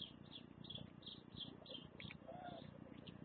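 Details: White wagtail (Motacilla alba), recorded 22 December 2015 at 15:10, gives a rapid series of thin, high chirps, about three a second, over a steady low rumble.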